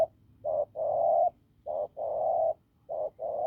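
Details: Field-caught spotted dove with a rough, strong voice cooing: short low hoots each followed by a long, sustained, hoarse note, three rounds.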